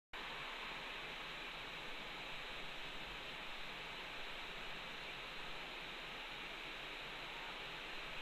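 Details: Steady broadband hiss like rushing water or static throughout, with no animal calls.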